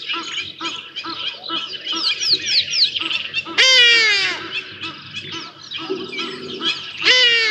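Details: A juvenile Black Sparrowhawk hunts for lunch at Djuma Private Game Reserve, 5 January 2024, on a live camera. Busy chirping from other birds comes first, then a loud, rich, descending screech, then a second one starts at the end.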